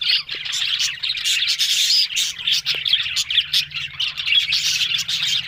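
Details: Budgerigars recorded on October 1, a flock chattering together in a dense, continuous high warble of fast chirps and scratchy twitters with no pauses, plus a faint low hum underneath.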